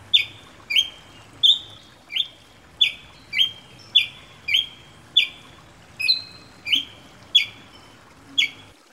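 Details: Ruby-crowned Tanager (tiê-preto, Tachyphonus coronatus) from Brazil: a steady string of short, clear, slightly metallic notes, repeated about every three quarters of a second, thirteen in all, over soft background hiss.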